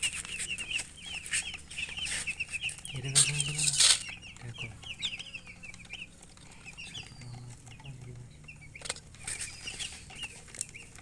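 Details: Chicks peeping busily in thin, high, repeated chirps, about one and a half per second. A loud rustling burst comes near the middle, with a few low clucks, then sparser chirping.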